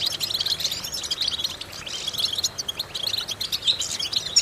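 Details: Goldfinch singing, used as a vocal training exercise for goldfinches: a continuous high twittering chatter mixing buzzy trills and thin bright notes, with a soft steady background hiss.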